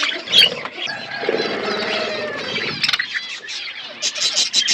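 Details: Budgerigars feeding in an outdoor aviary: soft warbling chatter and squeaks, ending in a run of short, evenly repeated sharp chirps.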